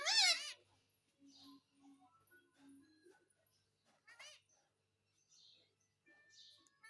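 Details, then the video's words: Pet parrot asking for roti in a small room; a loud, harsh, wavering call opens, followed by soft low mutterings, a brief sharp ringing note in the middle, and faint hissy chirps. "मम्मी मिट्ठू को रोटी दो _ Parrot Talking Everything _ मिट्ठू की प्यारी बातें"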